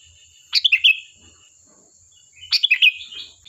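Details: Sooty-headed bulbul song from a lure recording meant to draw replies: two fast gurgling phrases of four notes each, two seconds apart, trailing into softer warbling, with a persistent high whine behind.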